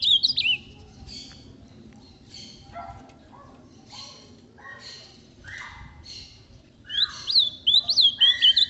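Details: Captive-bred ultramarine grosbeak, shown with its six-month-old offspring. Soft scattered chirps fill the middle, while loud, quick warbled whistled phrases leaping up and down in pitch open the recording and return strongly near the end.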